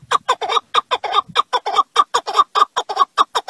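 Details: Partridge calling in a fast, steady series of short, harsh clucking notes, about one and a half per second, each with a bright ringing accent, heard clearly with no other sounds.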